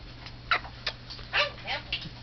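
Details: A talking pet mitred conure that loves to laugh and kiss gives quick, scratchy laughing chuckles and squeaks, about five short bursts in two seconds, while a person talks softly nearby.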